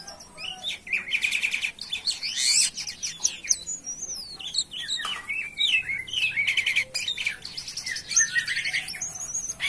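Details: Jalak kapas (myna) singing actively, a busy run of high whistles, sharp chirps and buzzy bursts that rise and fall, with scratchy notes between phrases.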